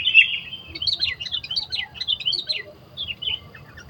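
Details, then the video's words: Sooty-headed bulbul in the wild, recorded during bird trapping, pouring out a fast, continuous stream of jumbled chirps and warbled notes, opening with one clear whistled note, over a low outdoor hum. "Mikat burung kutilang"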